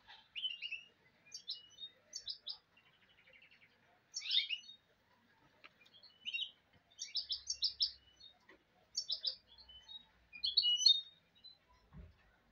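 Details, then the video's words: Hybrid goldfinch mule song: clusters of sharp, high chirping notes delivered in short bursts every second or so, separated by brief silences, with a faint low thump near the end. "le chardonnet chant mulet"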